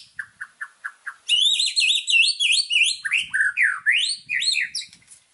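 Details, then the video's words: White-rumped shama master song for training birds, rich with fill-in phrases: a row of short even chips opens, followed by a fast, dense run of high twisting whistles and lower swooping notes. "MASTERAN MURAI BATU GACOR !!! FULL ISIAN LANGSUNG EMOSI !"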